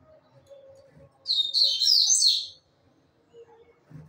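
A Double-collared Seedeater sings one quick, high, twittering phrase of about a second, with a faint low hum before and after.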